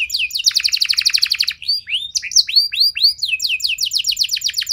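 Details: Canary song used as a prompt so other canaries reply and sing longer. Quick slurred notes lead into a tight, rapid rolling trill, then bright rising whistles repeated at a lively, even pace.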